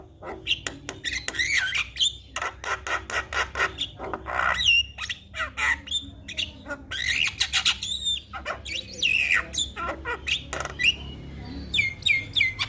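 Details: Javan myna singing a full, varied song used to coax a silent myna into singing: dense harsh squawks, clicks and chattering notes mixed with rising and falling whistles, continuous throughout.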